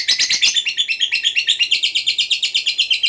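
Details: Fighter lovebird delivering a long ngekek chatter meant to provoke other lovebirds into answering: a rapid, unbroken series of shrill, harsh chirps, about three per second, on an even high pitch.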